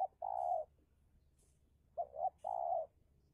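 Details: Indonesian spotted dove, used as a decoy to lure and challenge a wild dove over territory. Two deep coo phrases, the second opening with a pair of short notes before a drawn-out hollow note, with a quiet background.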